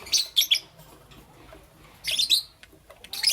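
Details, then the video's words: Lovebird chirping in the morning: two short bursts of sharp, high chirps about two seconds apart, each a quick cluster of squeaky notes, with one more chirp at the end over quiet background. "Lovebirds Chirping Sounds"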